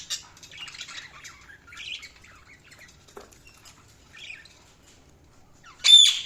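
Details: Budgerigars giving soft warbled chatter and thin chirps, then a quiet pause before a single loud, sharp squawk at the close.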